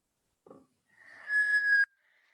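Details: A Black Scoter of Long Island Sound's sea ducks gives a single plaintive, steady whistle lasting about a second, preceded by a brief soft rustle. Large groups make this call loud and haunting.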